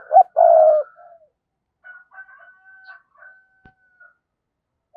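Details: Decoy spotted dove luring wild doves, giving a brief low coo phrase of one short and one long note, followed by faint thin distant calls from another bird.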